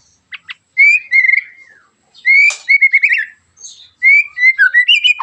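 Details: Loud white-rumped shama song used to provoke other shamas: three bursts of clear whistled phrases with quick stuttering notes, separated by brief pauses, preceded by two sharp clicks.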